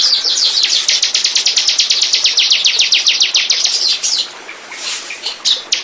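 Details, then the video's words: Bar-winged prinia, a recording played to attract birds: a four-second rapid series of high, sharp notes, then scattered louder chirps and short bursts. "Burung. burung ciblek pancingan"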